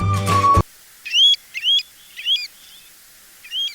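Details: Pacific golden plover (Pluvialis fulva) in Sri Lanka, a migratory shorebird of beaches and mudflats, calling four clear, high, slurred whistles, each rising then dipping, spaced about a second apart, after a brief burst of music.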